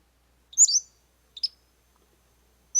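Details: Pacific-slope Flycatcher song played for study: a loud high thin slurred phrase near 0.6 s, then a shorter, softer high note pair about a second later, and another high note starting at the very end; otherwise silent.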